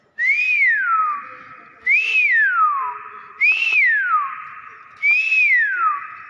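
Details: Common hill myna repeating a loud whistle four times, about every one and a half seconds. Each note is a rising then long falling glide, the phrases evenly matched.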